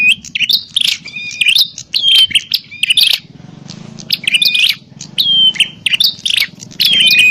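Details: Lure recording of a bar-winged prinia fighting call to attract wild birds: rapid harsh chatters interleaved with high, thin whistled slurs, delivered in dense bursts with a brief lull midway, over a steady low buzz.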